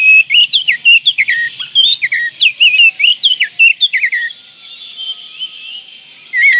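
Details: Oriental magpie-robin in breeding condition, singing to provoke rivals: a fast, continuous run of rising and falling whistled phrases for four seconds, a short pause, then one more whistle, over a faint low buzz.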